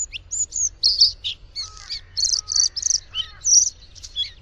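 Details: Bluethroat song: a varied, fast sequence of high, buzzy and metallic notes mixed with thin whistles and lower sliding tones near the middle, delivered in quick bursts with short pauses, over a faint low hum.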